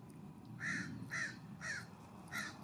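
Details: California scrub-jay calling at a ground bird feeder on a warm fall morning in September; four rough, buzzy, scolding notes repeated roughly every half second, steady and evenly spaced over a low rumble.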